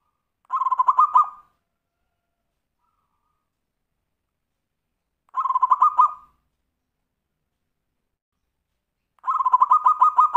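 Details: Zebra dove singing the Tumpang Sari style used to get other birds singing: three short, rapid rolls of pulsed coos, each about a second long, spaced roughly four seconds apart in otherwise quiet surroundings.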